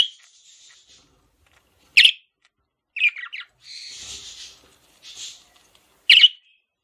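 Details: Male budgerigar, a pet, mixing sharp single chirps with softer buzzy warbling and a brief chattering phrase.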